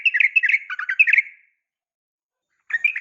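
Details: Yellow-vented bulbul female calling a male, a quick string of liquid, warbling notes lasting about a second and a half, then silence before another chattering phrase begins.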